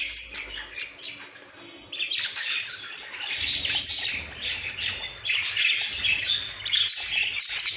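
Budgerigars chatter with rapid, high-pitched chirps and warbles that overlap almost continuously.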